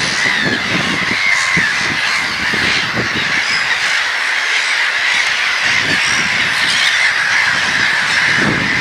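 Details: Crowded gull calling, loud raucous squawks merging into one unbroken din, with occasional higher squeals and scattered low thuds.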